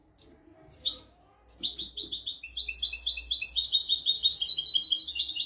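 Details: European goldfinch song in a 'royal' tutor style for training goldfinches and canaries: a few isolated high chirps, then from mid-clip a dense, fast twittering run of bright, tinkling notes that keeps going to the end.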